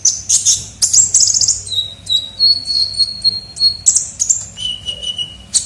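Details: Sunbird (kolibri ninja) lure sound: bursts of high sharp chirps broken by sustained thin whistled notes at steady pitch, some stepping lower, all very high and piercing.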